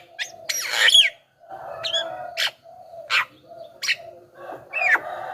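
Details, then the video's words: Javan myna song offered as a lure for wild birds and a tutor for caged ones: spaced harsh squawks and short whistled notes separated by pauses, over a low steady hum. "SUARA BURUNG JALAK KEBO,suara masteran paling dicari,ahli pancingan dengan variasi suara"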